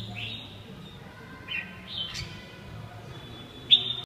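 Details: Red-whiskered bulbul: a few short whistled notes sliding up and down, then a long level whistle ending in a sharp loud note, with a soft low hum beneath.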